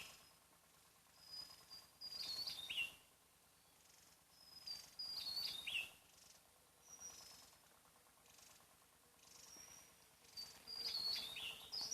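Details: Javan tesia singing in the wild on Java, a small bird with a loud voice heard from some distance. Thin, high whistles slide into a short tumbling, descending phrase, given three times over steady background hiss.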